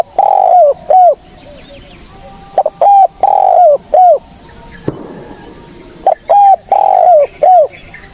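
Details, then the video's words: Spotted dove calls used as a trapping lure, three similar phrases roughly two and a half seconds apart, each a long rich coo dropping at the end followed by a shorter coo, with a brief knock midway. "SUARA BURUNG TEKUKUR BERSIH JERNIH, cocok buat pancingan / pikat"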